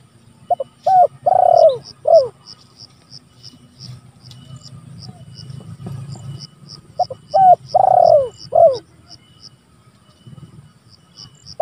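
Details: Spotted dove calling out to rivals, recorded as a lure and training sound: two bouts of several husky coos about six seconds apart, with soft low rumbling and a faint, regular high-pitched ticking throughout.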